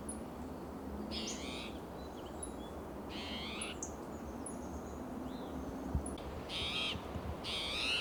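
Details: Agitated spotted towhee calling loudly among coast live oak and Monterey pine branches in Del Monte Forest, California, on a June morning; four harsh, buzzy, rasping calls at irregular intervals, with fainter thin calls and low background rumble.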